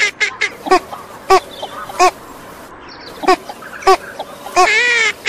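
A female northern shoveler gives short, nasal quacks at irregular intervals, ending in a longer, drawn-out quacking burst.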